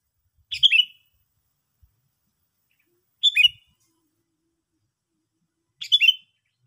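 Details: Sooty-headed bulbul calling: three loud, bubbly, slightly descending chirp bursts, each under half a second, spaced roughly two and a half seconds apart in near silence.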